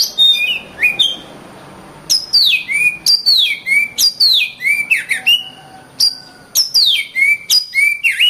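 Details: Oriental magpie-robin song for teaching other songbirds, with loud whistled phrases that drop sharply in pitch, delivered in a steady string after a quiet moment, mixed with short clicks.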